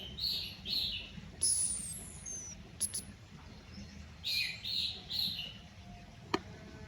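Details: A young captive Orange-headed Thrush, sunned and hung low to condition it, gives quick bursts of scratchy, mid-high warbled notes in short clusters, with thin, high falling whistles between them and a sharp click near the end; a cat lurks nearby.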